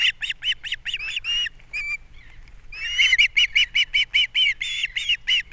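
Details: At a Captiva osprey nest in April, the male arrives with fish and the female feeds the babies; rapid strings of shrill, evenly spaced chirps, about two or three per second, with a brief pause midway.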